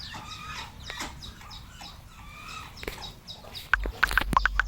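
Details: Captive red junglefowl on an Asian wild chicken farm give rapid soft clucks and chirps, followed near the end by sharp loud knocks and clatter.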